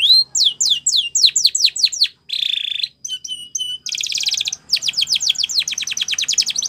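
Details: Spanish Timbrado canary in full song for training young canaries. Quick series of falling whistled notes, a flat buzzy trill, short metallic pips, then fast rolling trills and more cascading notes.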